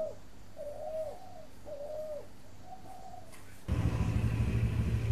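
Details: Captive spotted dove at a breeding aviary in Ba Vì, Hanoi, Vietnam, giving four mellow, slurred coos that arch up then fall, about one per second, before a loud rushing noise covers everything.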